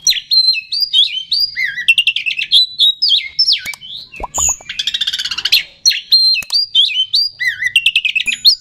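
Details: Provocation song of an oriental magpie-robin, used to make rival birds excited and sing hard: varied whistled phrases and short slurs, broken midway by a harsh, dense chattering burst.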